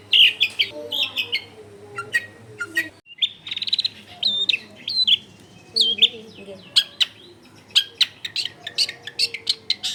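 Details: Long-tailed shrike lure song recorded in a busy home neighbourhood: mixed whistles, squeaks and quick scratchy chatter in irregular rapid bursts, with low background household noise.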